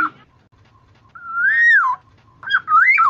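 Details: Lure recording of a Black-naped oriole (kepodang emas) used for trapping: a long, smooth, mellow whistle that swells and then drops, followed by a shorter pair of liquid, warbled fluty notes.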